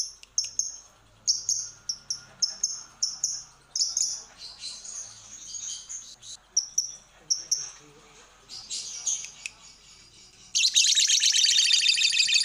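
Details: Lovebird, from a lure recording used to make birds sing: a run of short squeaky chirps and chips, then, in the last two seconds, a dense, shrill rapid chatter.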